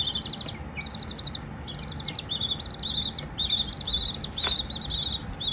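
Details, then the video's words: Young Silkie chickens chirp with rapid, trilled runs of high peeps, each run a string of short pulses, repeated nearly twice a second, with a sharp click midway. "Baby Silkies singing, no talking just chirps"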